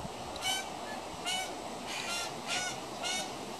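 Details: A juvenile pied currawong (Strepera graculina) hanging around a house gives harsh, nasal, honking squawks, five in quick succession about two-thirds of a second apart, over a steady background hiss.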